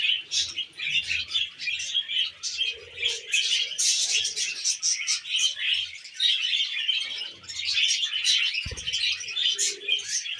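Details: Pet budgerigars feeding on wheat germ, with a steady flock warble of rapid, high chirps and squeaky notes throughout, soft low murmurs, and a sharp click near the end.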